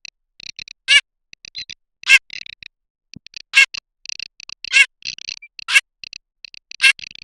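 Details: Garganey voice: rattling dry clicks running almost continuously, broken by loud harsh rasps about once a second.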